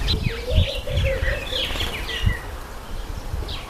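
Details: Speckled pigeons in a group: a low, quavering coo runs through the first second and a half while sharp chirping calls from other birds overlap above, over low background rumble.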